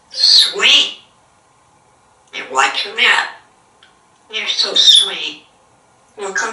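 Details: Talkative African grey parrot at home in Texas, sitting on the counter and producing human-sounding phrases in three main bursts, each about a second long, hissy and breathy, with silent gaps between them indoors.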